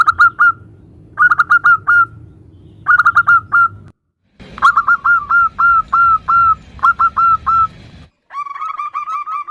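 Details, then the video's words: A female zebra dove calls a male, with calls answering each other: clusters of three or four quick whistled coos repeated in bursts, then evenly spaced downslurred notes, over low background hum. "Suara perkutut betina memanggil jantan"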